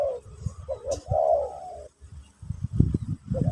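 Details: Spotted dove, pesom or kacuk song, used in a session to teach a new bird. A few soft coos and one longer swelling note are followed by low knocking sounds.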